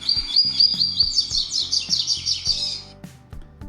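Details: Caged Double-collared Seedeater in tutoring, song with a flaw: a rapid run of high, bright chirping notes about every quarter second, its last note longer as it begins copying a nearby cockatiel's call; a man's voice murmurs faintly.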